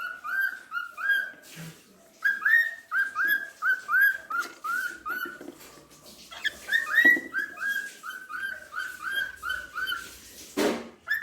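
A cockatiel sings a string of clear, warbling whistles, each note swooping up or down.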